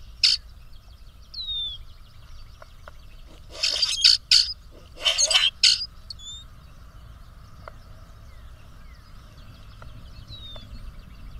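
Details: Male grackles displaying to a female, puffed up and posturing: a couple of thin slurred whistles, then two clusters of rough, crackling squeaks, followed by quieter faint notes and soft clicks.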